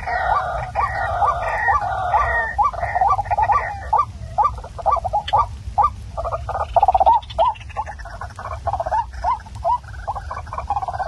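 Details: Waterhen sound used at night to attract birds for trapping: busy overlapping nasal notes at first, then sharper separate hooked calls in uneven bursts.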